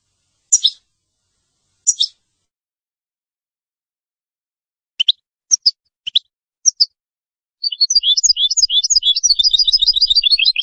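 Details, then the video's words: Singing goldfinch-canary hybrid used to tutor young birds and canaries: scattered sharp isolated chirps separated by pauses, then a rapid continuous run of jumbled twittering notes. "Singing A Goldfinch Mule To Teach Chicks And Canaries"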